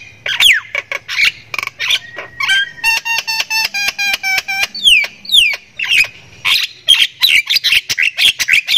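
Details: Caged Javan myna from Thailand in lively varied song: harsh squawks open, then a long rapid train of pure repeated piping notes, followed by descending whistles and more grating chatter.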